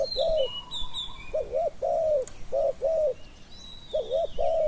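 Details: Spotted dove used as a decoy to lure wild doves in Thailand. Deep, mellow coos come in short two- and three-note phrases with brief pauses, and thin high chirps and whistles from other small birds sound in the background.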